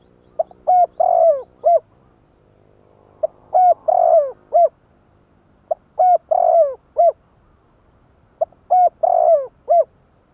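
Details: Spotted dove cooing as a lure to call wild birds; a deep, hollow multi-note coo phrase, short notes then a drawn-out falling middle note and a clipped ending, repeated about every two and a half seconds, with quiet background.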